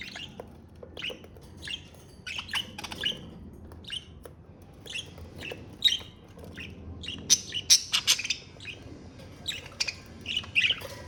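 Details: Pet budgerigar chattering in steady bursts of short, high, clipped chirps and squeaky notes over about eleven seconds, with louder clusters near the middle. Light background hum.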